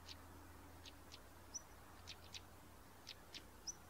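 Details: A pair of stonechats giving short, sharp ticking calls, about nine in four seconds at uneven gaps, with two thin high whistled notes between them over a faint low hum.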